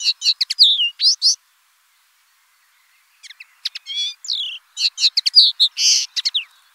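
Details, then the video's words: Common linnet song in two bursts: rapid chirps and buzzy, slurred notes, a silent gap of about two seconds, then a longer twittering phrase of mixed sharp and rasping notes. "BIRDS VOICE : The common linnet Bird"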